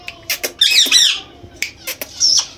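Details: Indoor pet Indian green ringneck parakeet, a talking bird that mimics cat meows, gives harsh, high squawks and squeaky chatter in uneven bursts within a small room.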